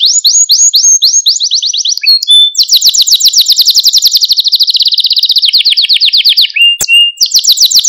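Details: Malta canary in full song, played to stimulate other canaries: slower spaced trill notes give way to a long, dense, very rapid rattle that drifts lower, a brief whistle and click, then a high trill again.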